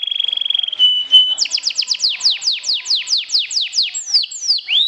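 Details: Canary song played to stir up other canaries: opens with a steady high whistle, then a quick series of sharp descending sweeps repeated about five times per second, ending in rising swoops.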